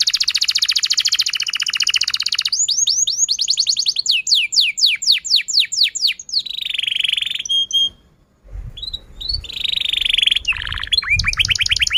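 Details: Long excited canary song, meant as a stimulus for young and silent canaries: a dense rattling trill, then series of sharp sweeping notes, a brief silence near eight seconds, then buzzy phrases and quick slurred notes.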